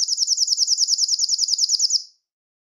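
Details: Belgian canary song for attracting and calling canaries: a steady rapid high trill of repeated notes lasting about two seconds, then silence.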